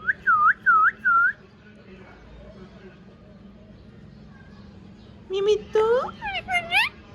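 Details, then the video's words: Pet ring-necked parakeet gives three clear looping whistled notes, falls quiet for several seconds, then bursts into a quick series of rising, speech-like talking syllables. "Mian Mithu Chori Khani hai Speaking clearly / beautiful Ringneck Parrot Talking"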